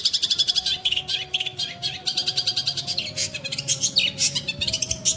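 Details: Long-tailed shrike (pentet) delivering a scratchy, varied chatter of quick high notes in uneven bursts, some buzzy and some clipped, with a steady faint hum.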